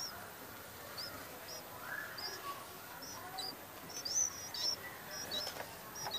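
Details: Red-whiskered bulbul chicks in a nest in a back yard give thin, high, short, slightly upslurred chirps, scattered irregularly with bursts of several close together, over a soft background hiss.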